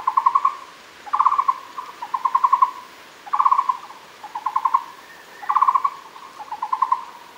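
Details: Muller's barbet (Megalaima oorti) at Fushan, Taiwan, gives quick bursts of five to eight hollow, mid-pitched notes, with overlapping phrases about once a second over a soft background hiss.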